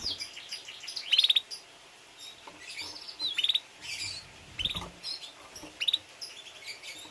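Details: Canary kept for breeding with its young, uttering scattered short bursts of sharp high chip notes at irregular intervals, a few seconds apart, against quiet hiss.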